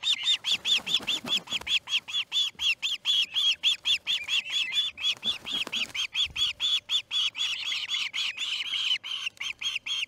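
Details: Osprey calling continuously at the Charlo nest as a chick fledges, 6:03am MDT on August 10, 2018; a long, steady stream of loud, high, slightly wavering whistled chirps, about two per second, with faint rustling.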